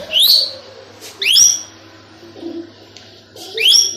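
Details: Tame two-year-old male plum-headed parakeet, kept as a pet that talks and whistles, giving three loud, clear, rising whistled notes spaced about a second apart, with soft murmuring between them in an indoor room.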